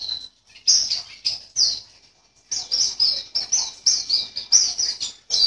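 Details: A caged white-eye from Sambas, West Kalimantan, entered in an online bird contest in April 2020, sings a rapid, high, twittering song of bright chirps and warbled notes, pausing briefly before a dense run.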